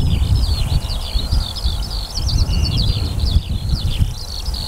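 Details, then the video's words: Eurasian skylark singing above a barley field in summer, 28 June 2018: an unbroken, rapid, high twittering warble of varied chirps and trills, over a heavy low rumble of wind. "Skylark song above a barley field"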